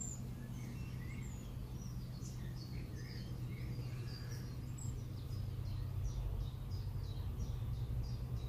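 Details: Common kingfisher (Alcedo atthis) at Warandeputten in 2018, giving a series of short, thin, high-pitched whistled notes that repeat in quick, uneven succession over a steady low background rumble.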